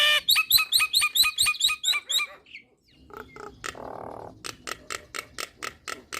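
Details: Nias hill myna song: a burst of about ten quick, identical ringing notes. It is followed by a short pause, then a series of sharp, dry clicks repeated at a steady pace, with a brief rough hiss in between.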